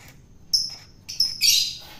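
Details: Wild-caught long-tailed shrike being fed to tame it gives a thin, high whistle, then a longer note running into a loud, harsh, grating rasp.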